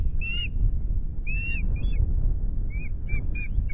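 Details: Osprey at the Loch Garten nest on 10 May, first changeover during incubation of two eggs; a few short, high slurred whistles in small clusters, with a constant low rumbling background.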